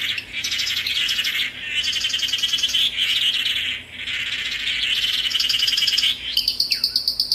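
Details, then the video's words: Tangará song: buzzy, trilled phrases repeated with short pauses, ending in a series of quick, high, ticking notes. "Canto do pássaro "tangará""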